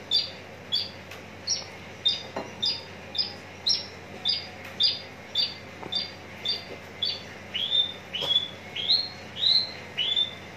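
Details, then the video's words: Contest-ready Javan bush lark in Tangerang repeating a short high upswept note roughly every half second, later shifting to longer rising slurs, with a few clicks in the background. "branjangan parva joss siap gantang"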